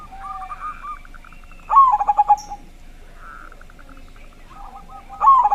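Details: Local zebra dove with a big voice singing as a lure for other doves: two strong bursts of quick, pulsing coos separated by quieter, drawn-out cooing phrases and faint rolling notes.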